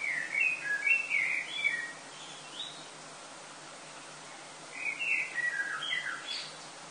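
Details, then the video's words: Summer pre-dawn song of common blackbirds in Lille, France, early August: busy warbled phrases with high twittering ends, a quiet gap of about two seconds, then another melodious phrase, over faint steady hiss. "Chant des merles avant le lever du Soleil en été"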